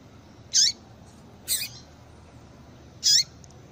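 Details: A female yellow-bellied seedeater gives calls meant to stimulate males: three loud, very high notes about a second apart, each ending in a short falling slur, over faint steady background hiss.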